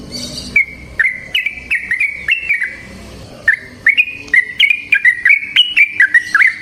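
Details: Yellow-vented bulbul in long continuous song, used to coax other bulbuls into singing: a string of short whistled notes with clicky onsets, rising and falling slightly, about three per second, after a brief noisy start.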